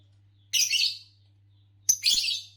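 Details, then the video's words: Green Fischer's lovebird, a color variety prized in Indonesian song competitions for long songs, calling two loud, harsh, buzzy chirps about one and a half seconds apart, the second preceded by a click. "Lovebirds Chirping to Calm the Mind Therapeutic Natural Sounds - Lovebirds Chirping Sounds"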